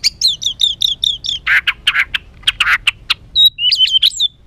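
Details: White-rumped shama singing an agitated, emotional song used to provoke other birds: rapid repeated whistled notes, then harsh buzzy bursts, ending in sharp whistles and chatter.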